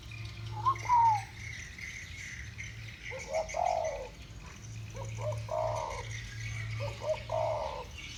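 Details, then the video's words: Spotted dove duet in 'thổ bầu' voice, two birds calling against each other: a steady run of repeated deep, rounded coo phrases, each clipped note followed by a longer falling coo, over a low hum and soft distant birdsong. "Tiếng chim cu gáy giọng thổ bầu. 2 con giọng thổ bầu solo với nhau"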